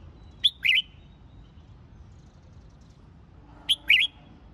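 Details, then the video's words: Red-whiskered bulbul, recorded for training contest singing. It gives two brief, identical two-note whistled phrases, a sharp high note then a warbled lower one, about three seconds apart, over faint hum. "Luyện Chào Mào Hót Đấu"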